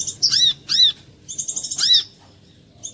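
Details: Sunbird lure song, brown-throated: two sharp arched chirps, then a fast buzzy trill and another ringing chirp, all very high pitched.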